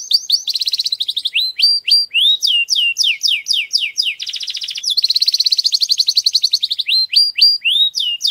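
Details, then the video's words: Canary giving a strong song to stimulate females for mating: bursts of clipped upward-flicked whistles alternate with fast buzzy trills and swooping down-slurs, nonstop and energetic throughout. "Fuerte canto de canario para preparar a las hembras"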